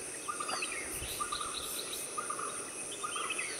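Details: European bee-eaters calling repeatedly, several rolling, bubbly trills overlapping at slightly different pitches, about one burst every half-second, with a steady high whine of insects behind.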